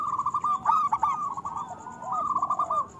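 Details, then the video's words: A vocal local zebra dove sings a continuous rolling, bubbling trill of rapid cooing notes, with brief accented upswept notes and a second softer trill overlapping near the end; a thin steady electronic tone sits faintly behind. "Perkutut lokal gacor Suara Besar Panggilan Perkutut Agar Bunyi"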